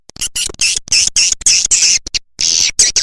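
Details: Harsh, hissing high screeches from swiftlets, played to draw swiftlets in; the rasping bursts come in quick succession with short gaps.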